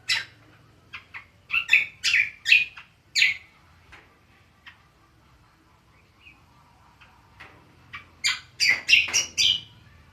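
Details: Cucak kombo, or greater green leafbird, in ngriwik style: a burst of quick scratchy chirps, a long quiet stretch with faint notes, then a fast, harsh chattering run.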